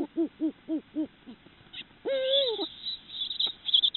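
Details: Eurasian eagle-owl (Bubo bubo hispanus) at night during a male–female mating encounter gives four quick, arched hooting notes, then a long, drawn-out nasal wail that rises and falls, with a few fainter calls following.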